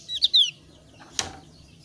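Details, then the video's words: Javan grey-throated white-eye of the thin-browed variety: two quick high chirps, the second drawn out and falling, followed by a single sharp click. "ciri khas suara burung opior alis tipis"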